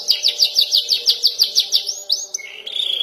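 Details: Juvenile canary learning to roll and trill, its practice song opening with fast, evenly repeated high chirping notes, followed by two upward-curving whistles and a brief level tone.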